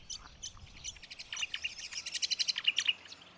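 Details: Brown honeyeater in grass at Sandy Camp Rd Wetlands, Wynnum West, southeast Queensland, Australia: bright, high chirps speeding into a quick run of sharp, clipped notes, about eight per second, over faint background hiss.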